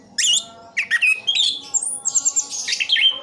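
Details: Orange-headed thrush kept in Sidoarjo, East Java: a short burst of jumbled high whistles and squeaky notes, ending in a rising, drawn-out whistle and twittering.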